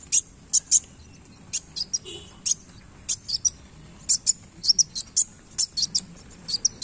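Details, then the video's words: Kolibri wulung sunbird in strong song with tail movements: sharp, very high chips delivered singly or in short clusters, with irregular gaps between them and a faint lower whistle near the middle. "KOLIBRI WULUNG GACOR Main Ekor"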